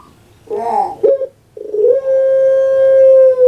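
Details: Captive puter pelung dove kept as a songbird: a short throaty warbled note, a brief pause, then a long, steady, drawn-out tonal coo that holds its pitch for about two seconds in a quiet indoor setting.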